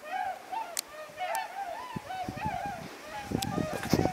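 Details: Whooper swan flock flying in at night on arrival at Mutsu, Shimokita, Japan, 15 October 2015: many overlapping bugling honks in quick succession, with clicks and low thumping noises underneath.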